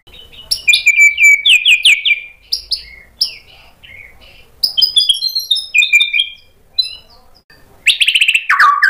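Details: Actively singing White-rumped shama, its sharp fill-in phrases meant to lure other birds into answering: bursts of bright downslurred whistles and chips in separate phrases, ending with a rich rapid warble.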